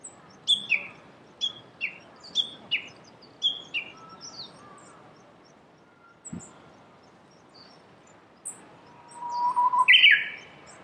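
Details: Japanese bush warbler among cherry blossoms in Saitama, Japan, March 2019: a series of about six high descending slurred notes about half a second apart, later a rising whistle and a loud bright flourish.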